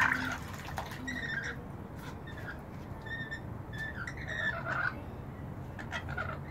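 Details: Rainbow lorikeets bathing in a bird bath on a balcony make soft, scratchy chatter and short harsh calls in loose groups, with a low background rumble and faint splashes.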